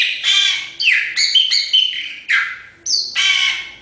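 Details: Chopi blackbird song: loud, dense phrases that mix buzzy, scratchy notes with bright whistles and downward slurs. Short pauses break the phrases in a steady stream.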